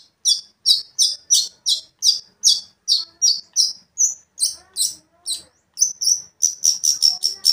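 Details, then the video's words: Long-tailed shrike (cendet) provoking song: a steady series of rasping notes about two per second, a short whistle, then faster high repeated notes at the end. "cendet gacor memancing emosi cendet lain"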